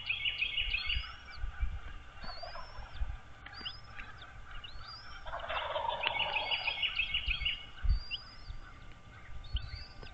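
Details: Nest camera recording from a wild American bald eagle pair on Dale Hollow Lake, Kentucky-Tennessee line, early morning of 13 March 2023; two runs of fast, shrill, stuttering chatter notes, with a lower harsh burst in between and faint chirps from other birds.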